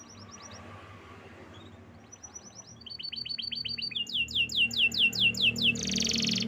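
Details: Canary singing, described as forest birds chirping: soft high trills build into loud rolling tours of rapid repeated downward-sweeping notes, ending in a dense buzzy burst.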